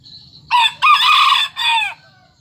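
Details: Serama bantam rooster, described as aggressive and a keen crower, delivers a full crow in four harsh segments: short opening burst, long strained middle, then a falling final note, over quiet low hum.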